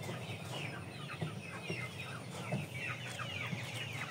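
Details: Domestic chickens kept by a breeder of aseel, shamo and Saigon ganoi fowl; a dense chorus of short, high, downward-sliding peeps and chirps overlaps continuously, with a few lower clucks beneath and a steady low hum throughout.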